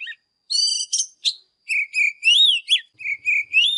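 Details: Caged Oriental magpie-robin singing in the morning as a training song for young birds: a nasal buzzy note, then sweet rising and falling whistles and quick slurred phrases.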